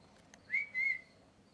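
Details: Pet parrot in molt, missing feathers, giving a clear whistled note near mid pitch, a short rising start then a level held tone after a brief break, over a faint steady indoor hum.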